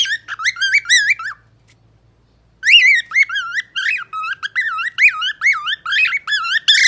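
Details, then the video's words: Pet parrot sings looping, bouncing whistles, pauses about a second, then resumes with a longer, faster series of rich whistled notes sweeping up and down. "Pappagallo canta bellissimo )) Professional singer - parrot Shu Shu. Singing parrot"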